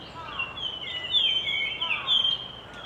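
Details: Japanese grosbeak song from a resident bird: a short burst of loud, pure whistles, several gliding notes rising and falling with overlapping voices, over a quiet background.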